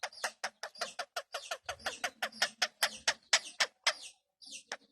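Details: Pet Indian ringneck parakeet, said to have started talking, giving a rapid run of sharp, harsh clicking notes about four per second, with a brief pause before the last few notes.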